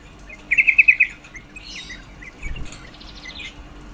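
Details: Female yellow-vented bulbul call used to stimulate males' breeding drive: one brief burst of about six quick chipping notes, followed by faint twittering and a soft knock in the background.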